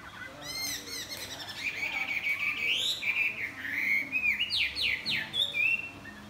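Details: Chinese hwamei singing in the morning while flapping its wings: a fast, varied run of loud slurred whistles rising and falling, broken by sharp high chirps and quick repeated notes.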